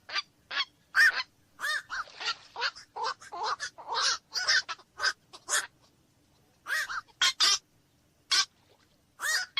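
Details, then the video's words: Black-crowned night herons giving dense bursts of hoarse barking squawks, rapid overlapping calls for five seconds, a pause, then scattered single croaks. "SUARA BURUNG KOAK MALAM"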